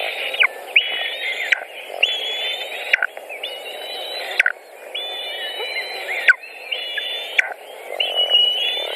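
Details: White-tailed eagles at a nest in Latvia on 14 June 2019, mid-afternoon, as an adult delivers a pike and feeds the young. Thin, high whistled notes are held level, then drop sharply, repeated about every second and a half.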